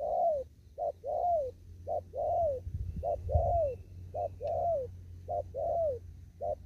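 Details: Spotted dove out in an upland field, cooing in the 'thúc gù' style. Paired phrases of a clipped hoot then a drawn-out, arching coo repeat steadily about every 1.2 seconds, over a faint low hum and a brief thud.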